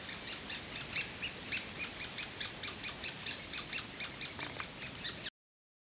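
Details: Woodpecker chicks being fed by the female and male parents give a rapid run of very high, sharp chirps, about twenty in five seconds, which stop abruptly.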